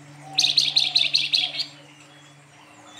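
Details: Silver-eared mesia, locally called flamboyan, singing energetically in the fluting nyuling style: a quick run of about six bright, sharp notes lasting just over a second, then quiet with a faint steady hum behind.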